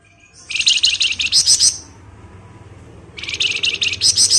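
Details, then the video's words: Flamboyan bird in energetic ngebren chattering song, described as a lure for other birds: two dense, buzzy, rapidly pulsed rattling bursts, each about a second long, with a quiet gap between them. "Rajanya Ngebren Burung Flamboyan"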